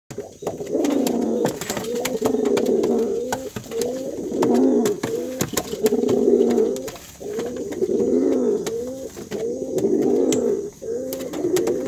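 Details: Brown domestic pigeon, a male, cooing loudly to call his female: low, throaty rolling coos in bursts of one to two seconds, repeated with short gaps, sharp clicks and taps in the background, indoors.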